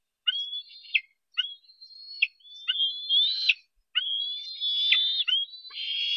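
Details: Harrison Bay nest-cam bald eagle eaglet, 10 July 2015, squeeing at a parent delivering fish: short rising whistles with sharp falling ends, repeated about once a second, lengthening into a sustained, strained high squeal.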